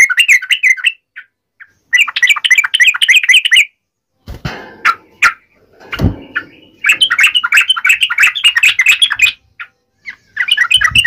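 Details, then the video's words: Yellow-vented bulbul in a fighting-style song of the tarung ngalas uplik ropel type, used to make other bulbuls answer at once: rapid bubbly chattering bursts of chirps, broken midway by loud knocking and thumping noises, then the chatter resumes. "trucukan gacor TARUNG NGALAS UPLIK ROPEL ini PALING AMPUH bikin burung trucuk gacor NYAUT SEKETIKA"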